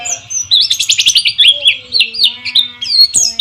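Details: Lure recording of white-eye song meant to restart silent birds, with water flowing: a continuous, rapid high warble of rolling chirps and short slurs, with a low steady whistle beneath.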